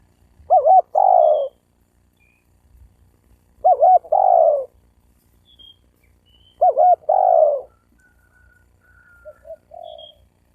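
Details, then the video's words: Cooing of a spotted dove, played to provoke males and females into fighting: a two-part phrase, a quick wavy note then a broad throaty coo, repeated three times about every three seconds, with quiet low background noise. "Tiếng chim cu gáy kích bổi kích trống mái gáy gù đánh nhau"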